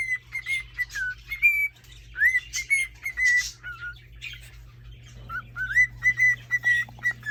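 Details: Male cockatiel in a cage courting a hen with whistles: fast strings of level and rising whistled notes mixed with scratchy chirps, broken by a short pause midway, over a steady electrical hum.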